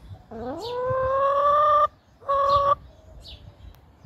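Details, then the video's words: Chickens complaining about bedtime: a long, drawn-out, nasal wailing note that rises at the start and holds steady, then a shorter second note of the same tone, followed by quiet. "Chickens complaining about bedtime"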